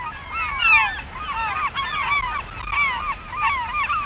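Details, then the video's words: Several gulls call over one another with loud, nasal, squealing cries that rise and fall in quick overlapping bursts, over a faint low rumble. "Martı Bağırma Sesleri"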